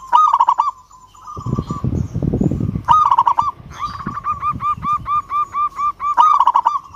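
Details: Rival-calling local zebra dove: rolling trilled coos, a pause filled with low rustling noise, then another trill leading into a long regular string of short cooing notes, ending on a further trill.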